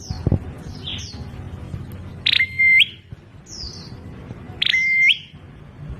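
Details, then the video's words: Prinia giving an unusual call: short high descending chirps, then twice a sharp note dropping into a long, flat, pure whistle lasting about half a second, over a low background rumble. "Prenjak Klawu Bersuara Aneh..?"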